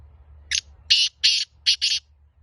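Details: Black francolin (kala teetar), described as a pure Laka antique breed, giving a harsh, rasping call of five noisy bursts within about 1.5 seconds, grouped as a single note, then a pair, then another pair, over a low background hum.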